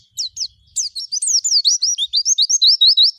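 An Oriental white-eye gives a fast, high, twittering song of rapid sweet slurred notes, rising and falling in a tumbling stream.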